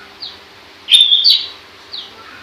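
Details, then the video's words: Pentet, the long-tailed shrike, giving one short, clear whistled phrase that rises then levels, framed by two faint thin notes before and after, over a quiet low hum. "Burung pentet gacor"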